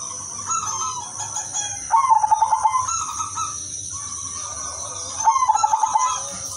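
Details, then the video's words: Lively udanmas silver zebra dove singing to lure other doves: two rolling cooing phrases about three seconds apart, each a soft lead-in then a quick burst of pulsed low notes, with a constant high hiss behind. "perkutut udanmas silver gacor irama merdu jadi pancingan semua perkutut"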